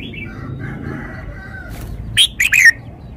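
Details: Red-whiskered bulbul displaying its song phrasing with every note clear: gentle low warbling notes, then a loud phrase of three bright whistles dropping in pitch near the end.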